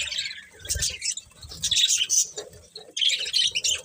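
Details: Budgerigars chirping in short bursts, scratchy squawks and rapid twittering phrases separated by brief pauses, several birds overlapping.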